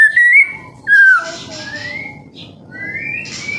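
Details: Juvenile white-rumped shama song used to coax other birds into singing: a short rising whistle, a bright downward-slurring note, then long smooth whistles that climb gradually, over a low background hum.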